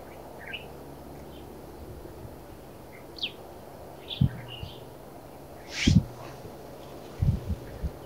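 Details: . Black redstart in the Narsapur Forests giving short, high, thin chirps scattered irregularly across the recording, some rising sharply, over low dull thumps and faint background hiss.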